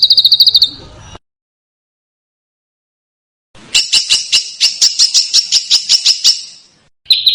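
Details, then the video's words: Training master for contest birds with rough, sharp, dense screeching. A brief high trill gives way to silence, then harsh, rasping notes repeat quickly for about three seconds before a final short trill. "Masteran Burung Lomba JERITAN RAPAT DAN KASAR FULL TEMBAKAN TAJAM"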